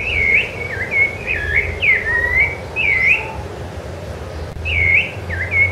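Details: Loud, melodious song of a Rufous-bellied thrush recorded on Ilha do Governador, January 2013: bright whistled phrases that swoop down and up, repeated roughly every second, with a brief pause midway and faint low rumble behind.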